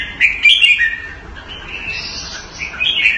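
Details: Red-whiskered bulbul kept caged in Singapore in the Thai manner: a quick, twittering whistled phrase followed by softer, sustained higher notes and a closing slurred whistle.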